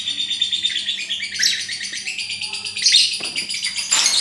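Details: Pet lovebird in ngekek style, its long chattering song: a continuous run of rapid, high, grating twitters and squeaks, swelling into louder shrill bursts near the end, over a faint low hum.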